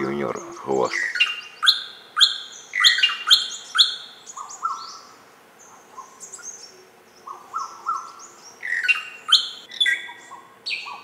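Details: Greater racket-tailed drongo giving a lively medley of clear whistles, metallic clinks and chattering notes in quick irregular runs, with a brief pause midway before the bright, varied calling resumes.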